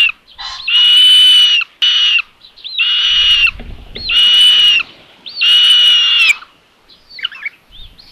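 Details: Tiszalök, Hungary, 27 May 2022: at a solar-powered nest camera, a common buzzard mother brings lunch to the third chick. Several rasping screeches, each starting with a curled note, come in a close run, then fade into softer chatter.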